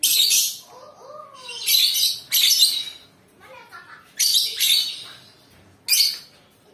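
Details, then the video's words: Lovebird song in short harsh bursts of high, scratchy chatter, about six in under seven seconds, with quiet gaps and a faint human voice between them. "Suara kicauan Lovebird"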